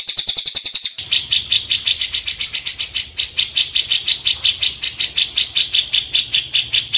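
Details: Cililin song, used as training material for white-rumped shamas: a brief high buzzy trill, then a fast run of sharp, bright chips repeated about two to three times per second, with a faint low hum underneath.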